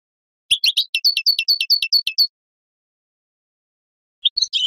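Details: Goldfinch song phrase of quick, evenly spaced twittering notes lasting nearly two seconds, with a metallic tinkling quality. After a silence, a fresh twitter begins at the end.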